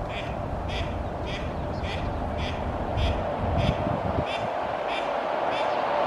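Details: Female mallards quacking, two pairs at Oksywie, recorded 2 April 2021; a steady series of nasal quacks repeats about every 0.6 seconds over a low, constant rumble of background noise.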